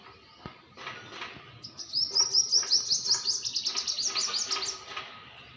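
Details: Small bird delivering a rapid, very high series of thin, down-slurred chirps that run into a longer twittering trill over about three seconds, preceded by a few soft rustles and clicks.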